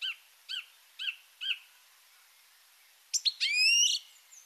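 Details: Song thrush (Turdus philomelos) singing: a clear, arched note repeated four times at half-second intervals, then after a pause a shrill, hurried phrase of higher whistled and buzzy notes; shriller than a blackbird, repeating phrases.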